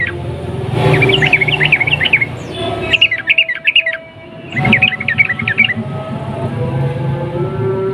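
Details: Sooty-headed bulbul song used to stir other bulbuls into singing: three bursts of quick, bubbly chattering phrases, each about a second long, with a low rumbling background throughout.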